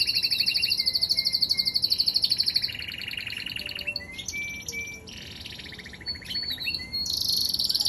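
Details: Canary song with a fast, high rattling trill, then a few clear whistled notes and varied phrases, closing with a shimmering high trill.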